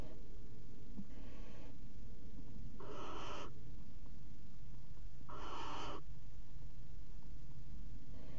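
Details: Barn owl pair at a nest box in a water tower, mating on the box edge, 5 February 2018: harsh, breathy hissing screeches about half a second long, repeated every two to three seconds, over steady low hum.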